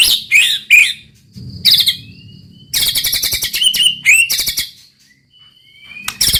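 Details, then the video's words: White-rumped shama (murai batu) singing roll tembak: harsh high chatter and sharp whistled notes, a thin drawn-out whistle, a dense run of rapid chips, then quiet before a final burst. "muraibatu roll tembak ajib bikin lawan naik emosi dan ikutan gacor MURAIBATU GACOR | SHAMA BIRD"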